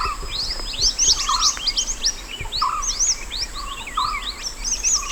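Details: Mountain white-eye recorded in the wild as a master song for training other birds: rapid high twittering of short rising and falling chirps, with a lower whistled note repeating about once a second and a steady high insect-like hum behind.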